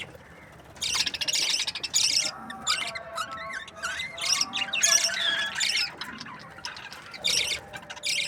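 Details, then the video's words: Budgerigars in breeding pairs chattering: grating buzzy bursts mixed with rising and falling whistled chirps and squeaks from several birds, after a quieter start. "Budgies parrot chirping sounds | breeding pairs"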